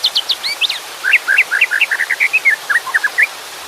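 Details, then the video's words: Singing white-rumped shama with water in the background: a fast string of crisp whistled notes, starting high and sharp, then dropping into rhythmic rising chirps repeated several times per second. "Suara KICAU MURAI BATU dengan Suara Air"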